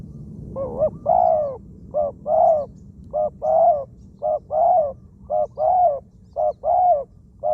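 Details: Spotted dove used as a ground decoy bird, described as a wild-caught bird with a small voice and many coos; two-part coos repeat roughly once a second, a short double note followed by a longer rolling croo, over faint low rumble.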